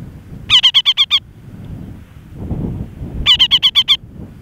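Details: Reischek's parakeet on Antipodes Island, New Zealand: two bursts of six rapid, sharp, harmonic chattering notes, each burst lasting under a second, separated by low rumbling wind or surf noise.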